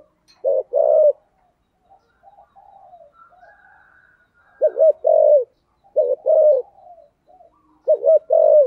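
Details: Decoy spotted dove giving brisk paired coos, each phrase a quick stuttered note into a fuller coo, repeated every second or so after a quiet gap with soft distant chirps.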